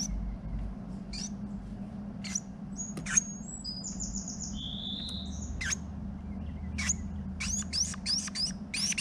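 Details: Female Carolina Wren calling to her mate while the pair build a nest of leaves, moss, straw grass and spider webs inside a garage; scattered high, thin whistled notes and short upslurred chips, with a steady low hum and a single loud knock.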